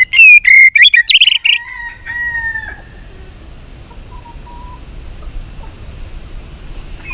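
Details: Song of a white-rumped shama trained for singing contests: a burst of varied, clear whistled notes and short trills lasting under three seconds, then near silence with a few faint distant notes.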